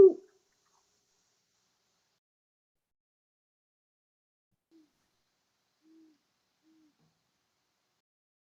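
Great Horned Owl giving a few very soft, deep hoots in a slow, uneven rhythm, after a brief knock at the start.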